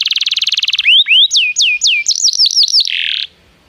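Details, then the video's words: Canary song, used to get other canaries singing: a fast buzzing trill, then swooping whistled notes and a quick jumbled phrase, ending in a short buzz before silence. "PANCINGAN JITU SUARA BURUNG KENARI"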